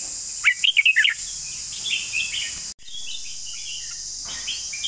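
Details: One quick phrase of bright, warbled whistles from a red-whiskered bulbul singing its long song, followed by faint distant chirps. Steady high insect noise throughout, with a brief break midway.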